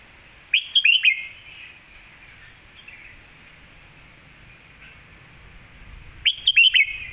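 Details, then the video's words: Master song of a red-whiskered bulbul, kept for teaching other birds: a short phrase of three or four bright, rapid slurred whistles, repeated after a quiet gap of about five seconds. "ดอกสวยๆ สำนวนแม่บท/ไว้สอนนก#เสียงนกกรงหัวจุก"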